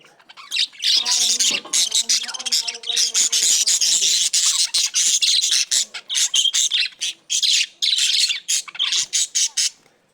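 Budgerigars chatter in rapid, scratchy chirps and warbles, a sound of happy, contented birds.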